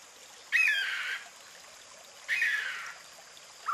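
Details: Sri Lanka frogmouth, a nocturnal bird of forest habitats in southern India's Western Ghats and Sri Lanka: two harsh, rasping descending calls about two seconds apart, each lasting roughly half a second, over faint background hiss.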